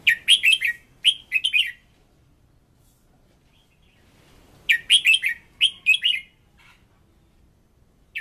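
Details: Fired-up decoy red-whiskered bulbul pours out repeated short phrases of bright, rolling chirps, several in quick succession, then a quiet gap before another dense burst of lively notes.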